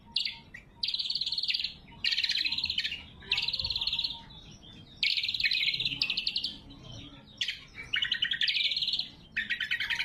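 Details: Loud, sharp song of a lesser green leafbird for luring wild birds or training caged ones: a series of roughly one-second buzzy trilled phrases, each separated by a short pause, over a faint steady low hum.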